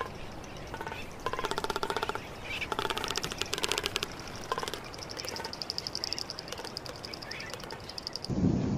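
Greater frigatebird giving rapid, rattling, chattering bursts, several pulses a second, rising and falling in loudness, over steady low wind rumble.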